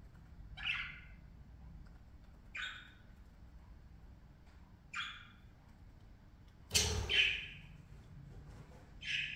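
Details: Parakeets at play give a series of short, buzzy squawks at irregular intervals of about two seconds. A dull knock or thump sounds among the calls.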